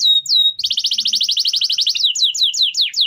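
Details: Canary song used to train other birds: a falling whistle into a held note, then a quick repeated rolling trill and a series of falling whistled sweeps.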